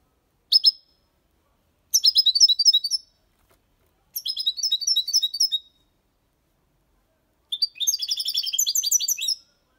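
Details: Six-month-old European goldfinch singing a clean Málaga copy song with colios, quejas and ornaments, meant to stimulate young birds. Four separate bursts of rapid, tinkling, high chirps, each phrase one to two seconds long, with silent gaps between.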